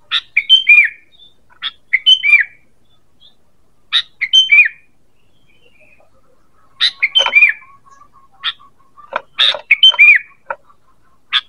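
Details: Sooty-headed bulbul giving its call, used as a lure sound: bright, bubbly chirped phrases in quick bursts, each about half a second, separated by short pauses, with no other sounds.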